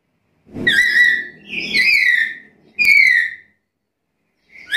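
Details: Black-capped lory calling in a lively, vocal way. Three loud, harsh whistled calls with strong overtones, each sliding down and lasting about half a second, then the start of a fourth. Faint low room noise sits beneath.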